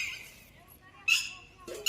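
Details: At sunset in calm weather with a light breeze, a day after good rain, a Red-wattled Lapwing on a farm plot gives two loud, sharp, high-pitched alarm bursts about a second apart; the owner wonders whether it has laid eggs; a woman's voice is heard faintly before them.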